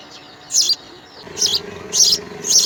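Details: House sparrow nestlings in the nest beg in four high, raspy bursts of cheeping about half a second apart as the parent feeds them insects, over a low steady hum.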